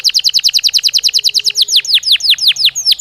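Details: Belgian canary song used as a training stimulus to make canaries sing: rapid series of high downward-sweeping notes, quick and even at first, then slowing into longer, lower-ending slurred notes.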